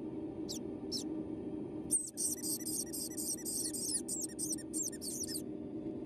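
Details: A hand-reared white-bellied caique chick, just hatched at 3 a.m. on the 26th, calls "pi-pi" energetically: thin, high squeaks, two single notes, then a fast run of about a dozen, over a steady indoor hum.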